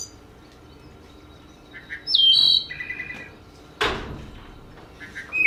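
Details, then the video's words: Wood thrush song, a West Virginia forest bird: a few clear, fluty phrases, one sliding down from a high note into a buzzy trill, with a sharp click partway through. "You hear that? That's a wood thrush."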